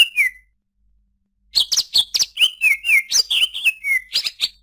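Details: Song of a greater green leafbird: a brief whistled note, a pause, then a lively run of sharp chirps and slurred whistles, roughly two notes a second.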